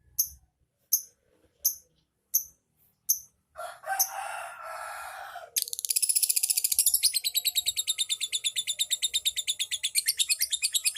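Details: Lovebird used as a lure so other birds answer with ngekek: a few separate sharp high chirps, a burst of rough noisy sound, then a sustained, fast trill of repeated high chirps lasting about five seconds.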